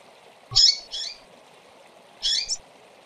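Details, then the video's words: Female double-collared seedeaters give short, high, chirpy calls in quick bursts, three notes across three seconds, over a faint steady background hiss. "Femeas de Coleiro Piando e Chamando Demais"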